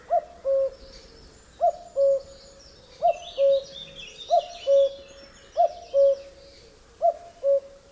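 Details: A male Common Cuckoo gives its spring song in Britain, a falling two-note 'cu-coo' at a steady pace, about six pairs in eight seconds, with faint songbirds twittering behind.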